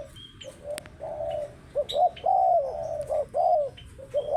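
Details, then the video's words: Spotted dove cooing almost nonstop, short soft notes alternating with longer, arched coos in a rolling series, with faint high chirps in the background. "Burung Tekukur Paling Cantik"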